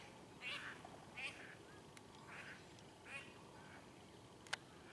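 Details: Female northern pintail at Keoladeo National Park, Bharatpur, Rajasthan, India: four rasping, quack-like calls spaced under a second apart, then a sharp click near the end, over a steady outdoor hiss.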